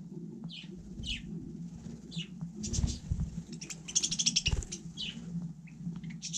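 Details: Budgerigar on snow in the frost, uttering spaced high chirps between a soft low rustling, with a denser scratchy burst in the middle.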